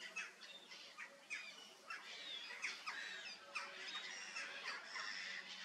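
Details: Laughing kookaburra in a zoo, filmed close up, giving harsh, rapid chuckling notes, about three a second, rising and falling in rough bursts throughout.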